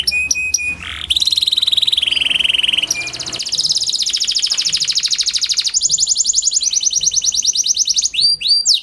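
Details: Kenari panda (a canary) lure song meant to get silent canaries singing; a varied sequence of held whistles, buzzy rolling trills and rapid chattering tours at high pitch, ending with quick slurred notes.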